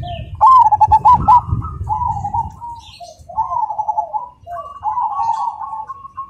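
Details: A Perkutut Cemani zebra dove sings a run of soft, rippling, purring coos in rhythmic phrases, with a brief clatter at the start and a low background rumble.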